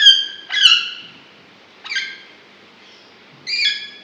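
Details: Green ringneck Alexandrine parakeet talking in a cage, three raspy, harmonic-rich outbursts, the first longest and loudest, with short pauses between and quiet surroundings.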